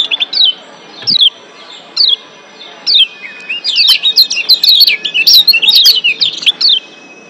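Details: In breeding condition, a Lombok white-eye from Lombok, Indonesia, sings lone sharp descending chirps roughly every second, then breaks into a busy, rapid twitter of high notes lasting several seconds.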